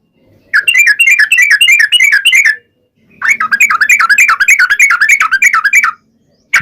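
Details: Sooty-headed bulbul delivering long rapid rolling song, used to prompt other bulbuls to sing back. Two extended bursts of fast, bouncy, looping whistled notes are separated by a short silence in a clean recording.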